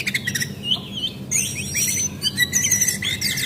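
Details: Javan white-eye female, locally brown jongkangan, as a lure call for singing birds: dense high twittering, slurred whistles and scratchy chatter crowding the clip, with a low background hum.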